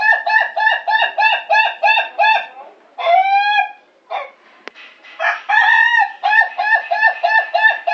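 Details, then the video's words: Contest-quality Ayam Ketawa crowing in its laughing style: quick even staccato syllables repeated about three per second for three seconds, a drawn-out rising note, a pause, then another rapid run of cackling syllables. "Suara Kokok Ayam Ketawa Kwalitas Kontes Nasional"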